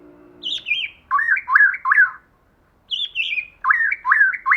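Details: Female white-rumped shama in forest-style song: a high wavering whistle followed by three lower looping warbled notes, the pattern repeated twice with a short pause between.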